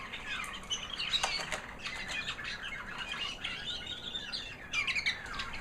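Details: American Singer canary, a white female singing after her molt: soft, high twittering warble of rapid chirps and brief trills, broken by a few sharp clicks or flutters, over quiet low background hum.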